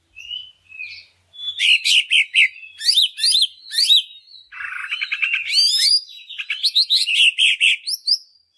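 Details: Greater green leafbird (cucak ijo) song used as a lure to stir other leafbirds into singing: after soft opening whistles, a loud, fast run of varied sweet whistles, sharp chips and chattering trills, phrase after phrase without pause, no other sounds.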